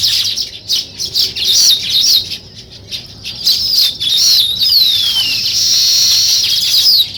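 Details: Weaver birds at work building a nest, chattering in bursts of high, rasping twitters broken by short pauses, with one long clear whistle sliding downward midway and a steady buzzy chorus afterward.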